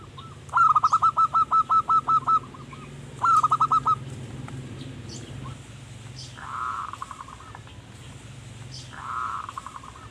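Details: Zebra dove (perkutut) in active manggung song, used as a lure for wild birds: two loud rapid runs of cooing notes, then two softer, blurred trills further off, over a steady low hum.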